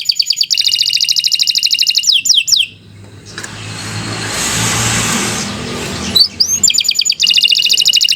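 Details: Canary in lively, long song, meant for tutoring and prompting other canaries. Fast repeated high trills begin and end the recording, interrupted by a loud passing car in the middle.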